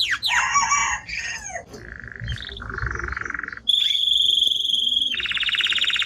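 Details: Timbrado canary singing strongly: descending notes, then low buzzy rolls, followed by a loud steady high trill and a second buzzy roll.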